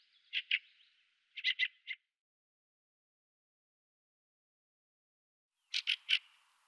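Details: Fieldfare (Turdus pilaris) giving harsh, dry chattering notes in three short bursts of two or three, with long silent gaps between the bursts.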